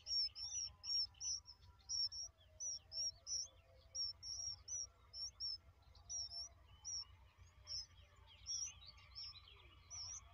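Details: Young bulbuls during feeding give a run of piercing, high chirps, repeated rapidly and fairly evenly, with soft lower twittering underneath.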